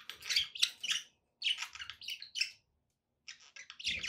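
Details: Pet budgerigars chirping in three bursts of dense, scratchy warbling chatter centred high in pitch, separated by short silences, with a rapid run of chirps closing the clip.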